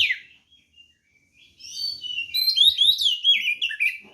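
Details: White-rumped shama fighting song for provoking other birds: a short note, near silence, then a building rush of bright whistles and rapid chattering phrases.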